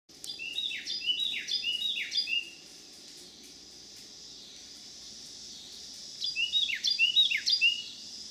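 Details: Carolina wren, one of a resident pair, sings its cheery song from a back deck in St. Louis County, eastern Missouri, on 26 July 2018: two bursts of loud, rolling, ringing phrases, four quick repeats each, over a high insect drone.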